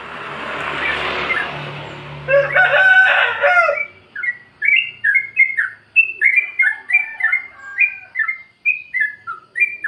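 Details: Hiss and a coarse crowing-like burst come first, then the Sooty-headed bulbul's free-style 'plik plok' song follows, played to coax quiet caged birds into singing: a brisk series of bouncy, rising-falling chirps.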